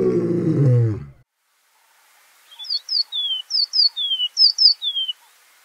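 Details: Golden-breasted bunting, a seedeater often found with blue waxbills: after a loud low voice, three phrases follow, each two sharp high chirps and then a longer whistled note sliding downward.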